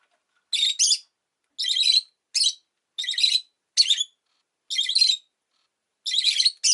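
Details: Rosy-faced lovebird, a household pet, uttering a series of about nine harsh, high, squeaky chirps, often in quick pairs, over nearly seven seconds.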